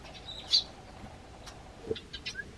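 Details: Garden sparrow, Eurasian tree sparrow, hopping onto a bench and calling to the householder at the door: one sharp, loud high chirp early, followed by a few fainter scattered chirps against a quiet hum.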